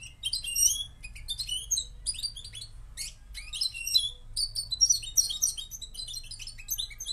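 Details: Moroccan goldfinch singing a fast, tinkling twitter of high, jumbled chirps and trills in bursts. A short pause comes near the middle, and a faint low hum sits underneath.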